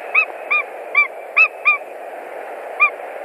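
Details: White-tailed eagles at a nest in Latvia on 1 March 2020, during nest building with straw and sticks and a mating attempt. Short yelping notes are repeated irregularly, about seven in three seconds, over a steady background hiss.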